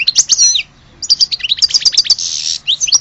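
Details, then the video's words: Algerian goldfinch in lively song, a rapid string of high chirps and twitters with a harsh buzzy note partway through. "Le vrai chardoneret de Alge"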